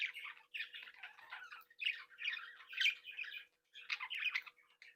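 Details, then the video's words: Captive breeding flock of budgerigars, including young leaving the nest, chattering happily while playing and interacting: dense scratchy warbles and squawky chirps in overlapping bursts, a brief pause near the end, a faint steady indoor hum beneath. "Sonidos de Mi Cría de periquitos Australianos"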